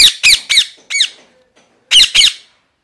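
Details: Parrot in a rapid run of grating, downward-arcing screeches, four close together, a short pause, then two more.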